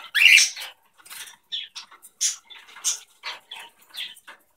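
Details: Two pet cockatiels in their everyday morning routine indoors give a fast string of short, scratchy chirps and chatters, with one loud harsh squawk at the start.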